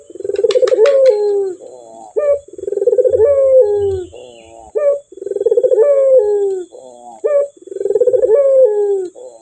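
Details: Clear-voiced male Barbary dove giving four long, purring coo phrases, each followed by a brief upward-inflected note, repeating about every two and a half seconds; a few sharp clicks near the start.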